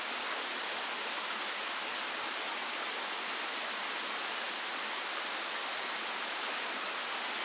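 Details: Only a constant, even hiss like rushing water or static is heard, with no animal sounds.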